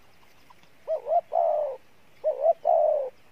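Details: Spotted dove cooing in the Pha Bài Lối style, praised for a good voice: two low phrases, each a short wavering rising note and then a longer steady hollow coo, separated by a pause of about a second over a quiet background.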